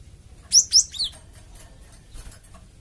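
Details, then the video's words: Java sparrow call used as a lure to draw replies from a flock: three quick high chirps, each a short downward-slurred whistle, the last softer, followed by faint distant chirping. "BURUNG GELATIK OMBYOKAN PUN LANGSUNG NYAUT DENGAR INI PANCINGAN BURUNG GELATIK BAHAN"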